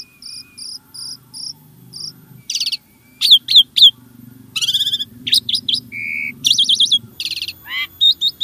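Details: Starling song to set caged birds singing: evenly spaced soft whistled notes, then loud harsh buzzy bursts, a steady mid whistle, and rapid squeaky chatter, with a low rumbling hum underneath.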